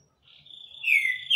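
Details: Green-winged saltator singing a lot: a thin whistle rises and holds steady, then swells into a loud, bright, slightly descending whistled note at the end of the short phrase.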